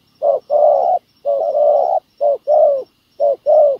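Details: Spotted dove used as a ground decoy to trap and lure wild doves, a wild field dove answering with cooing: low, hollow coos in short-then-long pairs, with a longer drawn-out phrase among them.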